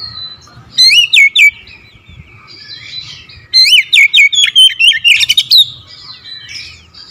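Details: Oriental magpie-robin, a kept daily bird said to sing readily once prompted, gives two bursts of loud, clear whistled notes with sharp downward slurs and rapid chirps, separated by quieter twittering.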